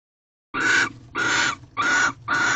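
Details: Wild barn owls in an owl box, sixth night of mating, 24 February 2023 at 5:48 am: four harsh, rasping screeches, each under half a second, given at even intervals.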